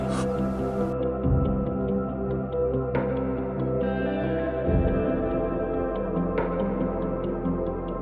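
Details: Calm ambient music of sustained, ringing tones like a singing bowl or gong, with soft struck accents repeating over a steady drone; no animal voices are heard.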